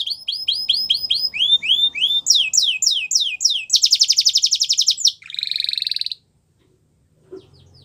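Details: Repeated rising whistles from a canary give way to falling slurs and a dense rapid trill. A lower buzzy roll follows, then the song stops and a faint soft note is heard.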